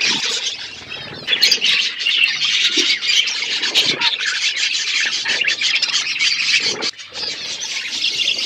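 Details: Wild parrots giving harsh, raspy squawks in a steady stream, loud grating calls overlapping one another almost without break, with a brief dip in the noise near the end before the squawking resumes.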